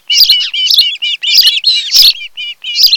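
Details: Osprey pair at their nest on Kent Island, Maryland, recorded by a nest camera on 26 July in the afternoon: loud, high whistled chirps in quick overlapping bursts, short breaks between runs, no other sounds.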